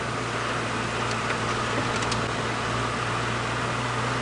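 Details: A steady vehicle engine hum with a low drone runs throughout, broken only by a few brief clicks and no clear animal call.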